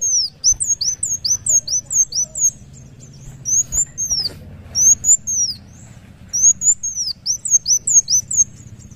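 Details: Sunbird song, a local type called kolibri wulung muncang daun, delivered in lively full-voiced style: rapid high thin notes, many downslurred, in fast bursts with short pauses, against a low hum.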